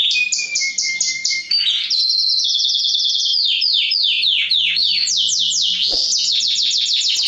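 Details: Male canary song to excite females toward mating, for training: sharp high notes in quick runs, a low whistled line, then repeated downward-sweeping notes and fast rolling trills.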